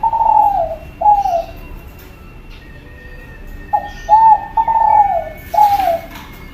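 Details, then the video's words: Spotted dove of the Kelantan type calling: mellow falling coos in short phrases, a pause of about two seconds, then more coos, over a steady hum, faint tonal background whine and a brief hiss. "burung tekukur kelantan gacor"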